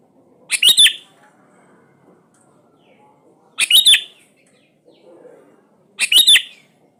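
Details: Repeated sooty-headed bulbul song phrases used to prompt birds that rarely sing: three near-identical bubbly, whistled bursts arriving about every two and a half seconds over near silence.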